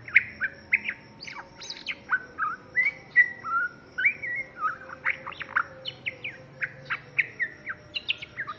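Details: Young white-rumped shama pouring out a rich, fast song of whistled slurs, high squeaky notes and sharp chips, phrases changing constantly at a brisk pace, loud and clear over a faint steady hum.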